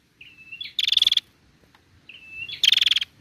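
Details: A female prinia gives a thin, high whistle running into a fast buzzy trill of about nine notes, twice, with no other sounds; the recording is used to stimulate prinias to sing.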